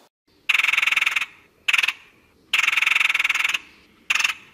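A Red-headed Woodpecker gives four harsh, buzzy rattles of rapid pulses, long and short bursts alternating about once a second, with nothing else heard.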